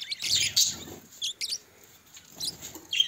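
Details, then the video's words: Budgerigars in a budgie colony chattering indoors: bursts of bright, scratchy warbling chirps, then short clicks and sharp high notes separated by brief pauses. "Budgerigar Parakeet Parrots birds life story"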